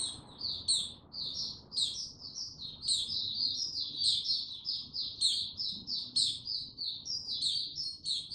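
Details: Male white-eye (mata puteh), gaining confidence slow and steady before opening into Tsunami song, dated 06032022; sustained rapid high-pitched chirping and twittering with recurring sharp peaks, no pauses.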